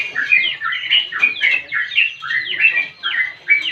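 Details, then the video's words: A chatty sooty-headed bulbul in extended 'ngropel' song for training and luring birds: lively cascades of slurred, bubbling whistles, roughly three phrases per second, densely overlapping. "Burung Trucukan Gacor Untuk Memancing Bunyi Dan Masteran"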